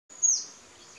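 A crimson-backed sunbird gives one very high, thin note that slides sharply downward and then trails off into a faint hiss.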